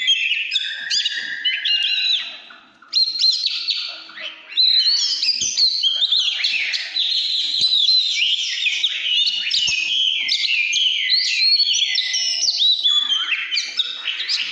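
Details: Long, energetic căn lửa song from an Oriental magpie-robin. Varied whistled phrases and rapid trills tumble together, with two short dips in volume early on, then a sustained, unbroken stream of sweet and scratchy notes.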